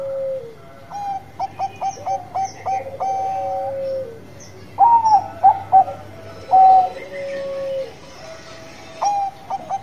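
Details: Bangkok-type zebra dove in full voice: a run of short, clipped, rising coo notes, then loud, rolling, bubbling phrases and a long, smooth, descending note. A steady low hum sits beneath.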